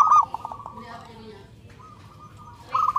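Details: Local zebra dove singing loudly in search of a mate: a rapid stuttering coo phrase opens and closes, with softer cooing and a lower sliding note in between.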